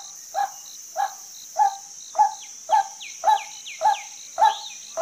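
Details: Female white-breasted waterhen calling in regular croaking notes, just under two per second, against a continuous shrill insect buzz, while another bird gives quick falling whistles in the background.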